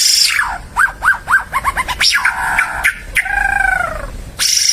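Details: Timor red-eyed bird delivering a series of repeated arched whistles, a falling slur and a long descending note, with brief hissing noise at the start and end.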